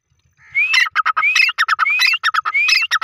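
A francolin gives loud, repeated phrases, each a rising whistle followed by a run of harsh, clipped notes. Four phrases come in three seconds against a quiet background.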